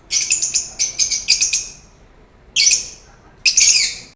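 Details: Lovebirds making loud, harsh, rapid chattering bursts, several stuttered notes per burst, separated by short pauses.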